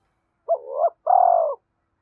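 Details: Single coo phrase of a spotted dove, used to attract wild doves: a short rising-falling hoot followed by a longer, steady, slightly descending coo, clean and without other sounds.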